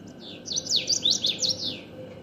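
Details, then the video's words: Common waxbill song: a quick series of thin, nasal, high notes swinging up and down in a sawtooth pattern, about seven elements, over a constant low hum. "تغريد طائر تبيبط"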